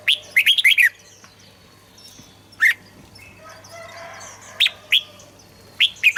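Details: Red-whiskered bulbul singing, played to prompt song: a fast run of five bright warbled notes, then spaced single chirps and a soft buzzy chatter.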